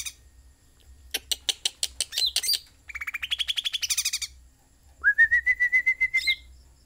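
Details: Sooty-headed bulbul in full song: a run of evenly spaced clicks, a rising buzzy trill, then a steady whistled trill that slides upward and holds its pitch.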